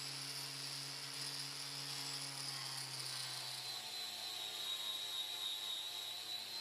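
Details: A continuous mechanical drone like a helicopter, with steady humming tones and a bright hiss, unbroken throughout; no animal is heard.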